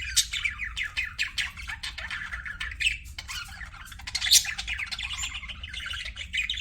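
Pet budgerigars chatter nonstop in a busy, high warble of rapid chirps, squeaks and scratchy notes that overlap from several birds, with a low room hum underneath.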